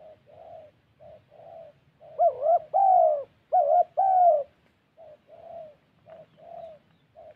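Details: Spotted dove decoy bird in Gia Lai, Vietnam: soft, low coos throughout, broken midway by several louder, richer double coos with a rising then level second note.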